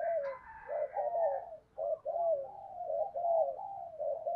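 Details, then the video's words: Spotted dove cooing to stimulate other doves: a quiet, almost unbroken stream of mellow warbling coos over a faint low background hum. "tiếng cu gáy kích bổi hiệu quả mỗi ngày, cu gay kich boi nhanh noi gù"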